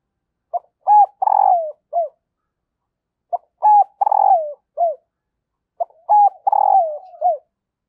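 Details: Three repeated phrases from a female spotted dove, a call meant to stir males into cooing, each a quick coo, a rising coo, a long drawn coo sliding down, and a short final note, every few seconds.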